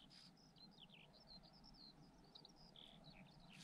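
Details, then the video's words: Eurasian skylark singing in a meadow where several pairs breed, on a foggy, rainy early Saturday morning: a continuous, rapid stream of high chirps and trills, fairly distant, over a steady low rumble of wind. "Vous pouvez désormais entendre l'alouette en arrière-plan !"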